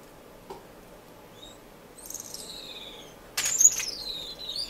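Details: Finch in an indoor Edmonton aviary in March: a few soft high notes, then a run of thin chirps, and finally a loud sharp burst followed by a long whistle gliding downward.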